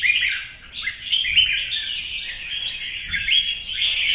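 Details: Competitive song of a caged, wild-caught older red-whiskered bulbul in morning sunshine: an unbroken run of bright chirps and slurred whistles, rising and dipping rapidly, with a brief softer dip early on.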